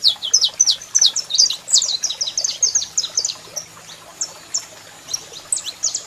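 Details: Saffron finch pair, male singing and female calling: a dense opening burst of high chirps that loosens into scattered slurred notes toward the end.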